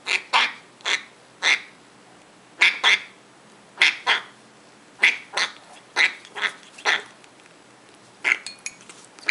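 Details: Hand-fed African grey parrot baby, eight weeks old, calls insistently while being fed: rough grating squawks repeated in an uneven stream, often doubled, roughly twice per second at peaks.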